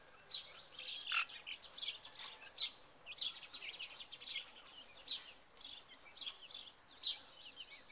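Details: Second-generation Buff Orpington chicks wandering in a big cage in May 2011, giving a busy stream of high, short peeps that overlap and come several per second, with some louder sharp cheeps among them.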